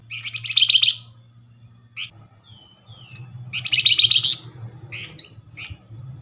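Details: Lure call of the Flamboyan, used to draw a response from other birds of its kind: two long, buzzy, rattling bursts with thin whistled slurs and single chips between, over a faint low hum.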